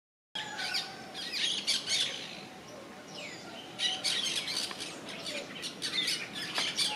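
Yellow-chevroned parakeets give shrill, grating screeches in quick overlapping bursts, a busy chatter with short pauses, over a soft background hiss.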